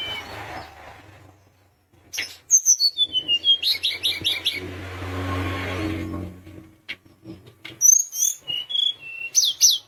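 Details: Sunda minivet singing briskly, a song said to make rivals respond at once: descending series of high whistled notes, rapid repeated chirps over a hiss, then further high chirps and whistles.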